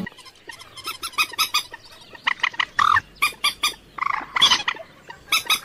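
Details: Common moorhen (locally dungkhor pakhi, water hen) calling with a loose series of hoarse, nasal clucks and squawks that grow louder and more spaced toward the end.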